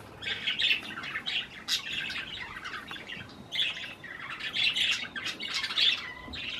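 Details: Pet budgerigars feeding on cherry tomatoes, uttering grouped squawky chirps in clusters roughly every second, harsh scratchy notes mixed with sharper tweets.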